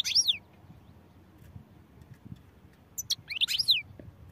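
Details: Singing European goldfinch: a bright, liquid twittering phrase of high slurred notes opens, a pause follows, then a second longer burst of rapid chirps and downward slides over soft low background noise.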